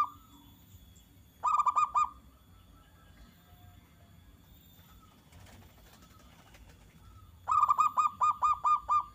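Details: Zebra dove singing a bright, fast series of rolling coo notes, meant to make other doves respond. Two separate bursts several seconds apart, with a quiet rattling background between them.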